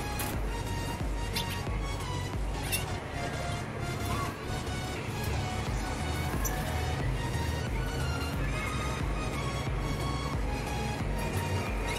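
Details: Loud music over a heavy, low rumble of traffic or machinery, with no bird or other animal voice standing out.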